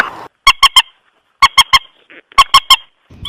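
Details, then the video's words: A common moorhen (Gallinula chloropus), a water bird, gives three quick runs of three sharp, nasal, honking notes, each triplet clipped and evenly spaced about a second apart. "Water Bird Call Sounds Mandar Batu Gallinula Chloropus"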